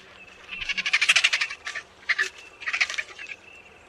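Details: Harsh, buzzy, rattling call of an Egyptian vulture, delivered as a dense one-second volley of rasping pulses followed by two brief bursts, with little background noise.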